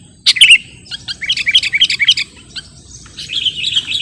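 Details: Sooty-headed bulbul song for bird luring and tutoring: a sharp opening chirp, then a softer series of quick twittering notes with a short break, ending in a smooth, warbled whistled phrase.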